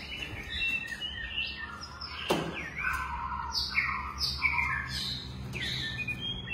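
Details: White-rumped shama of the long-tailed type, captive-bred, singing a string of bright descending whistled phrases repeated about every half second, with a loud click near the start and a constant low hum underneath.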